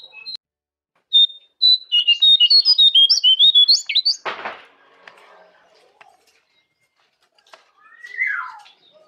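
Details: Caged jongkangan master song: rapid series of high whistled notes with a sharp buzzy burst, then a descending slurred note; short pauses between phrases.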